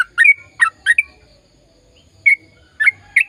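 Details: A sooty-headed bulbul sings in bursts of the long-run gacor style, used to get silent birds singing: three quick liquid chirps, a pause of over a second, then more downslurred notes.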